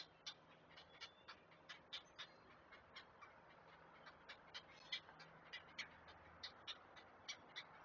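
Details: Nest of great blue herons on a live camera, chicks being fed: soft, sharp clicking notes run on steadily at around four per second, thin and high, with constant low background hiss.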